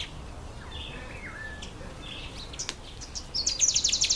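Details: Breeding-season red bishop in October or November, a time when males turn black and red: soft scattered chirps and slurred whistles lead into a loud, fast, buzzy chattering burst at the end.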